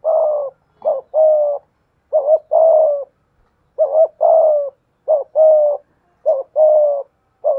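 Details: Spotted dove used as a decoy, voice style 'thổ pha thúc', cooing against a wild rival: about six steady phrases, each a brief two-part note leading into a longer even coo, with short pauses between.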